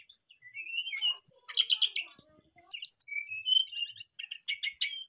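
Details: Brown-chested jungle flycatcher birds answering each other with a lively medley: a rising whistle, dense trilled chatter, then a long sweeping slur and short chirping bursts.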